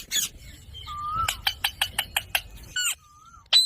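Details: Green pet parrot giving a quick series of about eight sharp, clipped squawks after a short whistled note, then another thin whistle and a final abrupt cry.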